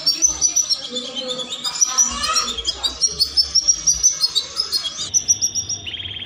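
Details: Canary song used to spark mating: a dense, jumbled flow of high twitters and warbles with rapid pulsed notes, shifting to a steady high trill near the end.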